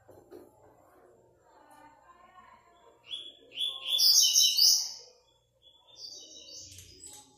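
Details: Double-collared seedeater singing in an online singing tournament. A quiet start with a low murmur of voices is followed by a loud burst of high, sweet, rapid whistled notes lasting about two seconds, then a briefer, softer high phrase.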